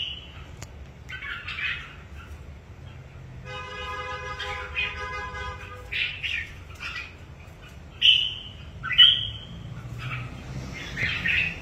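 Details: Red-whiskered bulbul in training for an upcoming singing competition delivers scattered short whistled and chattering phrases, two loud sharp whistles near the end, while a steady buzzy tone with many layered overtones sounds briefly in the background.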